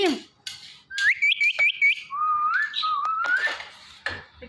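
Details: Hand-tame pet parrot, described as happy and dancing, gives a bright whistled series: five quick rising chirped notes, then a long wavering whistle that climbs at the end, with soft clicks and room noise around it.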